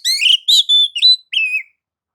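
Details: Short, loud white-rumped shama phrase played to provoke other shamas: rich rising whistles blending into a sustained clear note, then a final slurred falling whistle.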